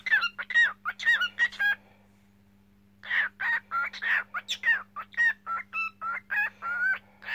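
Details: Cockatiel singing: a quick run of short whistled and buzzy notes, some rising or falling, then a pause of about a second before a denser warbling stretch of harsh and clear notes. A steady low electrical hum runs underneath.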